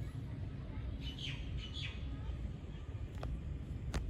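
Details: Dubai, United Arab Emirates: a common myna utters a few grating, down-slurred notes early on, followed by two sharp clicks, all over a steady background of low traffic hum.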